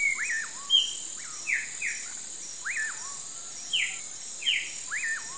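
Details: Common pauraque (bacurau) singing at sunset: repeated whistled notes that rise sharply, then slide down in an S-shaped curve, about four in five seconds, among other callers' falling buzzy sweeps and a steady high insect hum.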